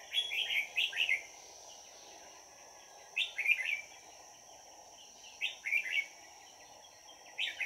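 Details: Red-whiskered bulbul used as a decoy for trapping wild birds, recorded 22 December 2018: short bright warbled phrases in bursts roughly every two to three seconds, over a steady low hum and a thin high tone.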